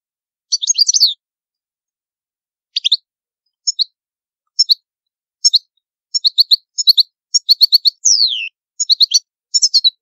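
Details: Palermo Sicilian style song of a European goldfinch, meant for teaching young birds; scattered short twittering chirps build into denser liquid phrases and one sweeping descending note, background perfectly quiet.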